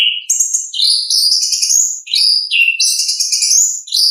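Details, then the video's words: Orange-headed thrush singing naturally, a lure for birds slow to sing or still learning: dense, nearly unbroken warbling of high whistled notes, with rising slides and rapid changes of pitch. "ANIS KEMBANG GACOR, pancingan suara asli alam anis kembang"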